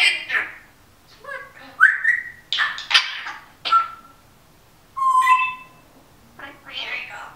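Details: Female Timneh African grey parrot at home, taped while talking, background music from a singer and a snoring dog; varied whistled notes and harsh syllables, including a long steady mid-pitched whistle near the end.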